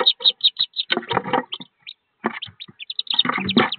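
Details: Wood duck ducklings, a brood of 13, in a nest box about 15 feet up as they prepare to jump out: high, sharp peeps in quick bursts, mixed with heavy scratching and scrambling noises inside the box.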